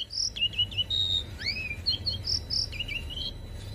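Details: Asian pied starling song meant as a copying model for young birds: thin high chirps and short whistles with rising slurs, over a steady low hum.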